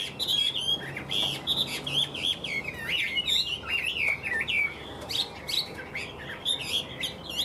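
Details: A tame, cage-aged male Chinese hwamei sings a rich, continuous run of loud whistled phrases, varied and slurred up and down, with quick repeated notes and no pauses.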